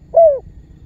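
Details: Spotted dove giving a lure call used to draw other birds into calling and help trappers bring target birds closer; one short, smooth, low coo that slides slightly downward, with no other birds heard.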